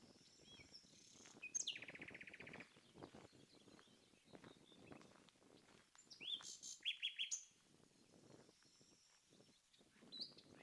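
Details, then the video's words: Common nightingale singing in two phrases: high whistles leading into a rapid buzzy rattle, then after a pause a second burst of sharp high notes and a short rattling trill, followed by thin whistles; faint rustling and outdoor ambience between phrases. "strange bird noise - Confirmed as a Nightingale"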